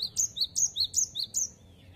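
A Cinereous Tit sings a bright, high two-note phrase, wi-chit, five times in quick succession about three times a second, then stops against a quiet background.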